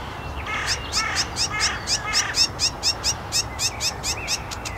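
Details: Sedge warbler singing at Szachty in Poznań, Poland, on 5 May 2024; a fast, busy song of harsh, clicking chatter notes repeated several times a second, mixed with short whistled phrases, over a low background hum.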